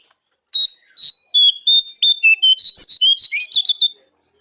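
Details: Jongkangan song used as a master recording to make caged birds sing: a run of clear, high whistled notes at steady pitch, repeated about three times a second, speeding up and turning buzzy and warbled toward the end.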